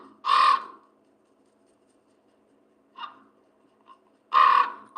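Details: A Common Raven in Vermont gives two loud, throaty croaks about four seconds apart, lower than an American crow's caw, with a faint, softer note between them and a somewhat liquid quality.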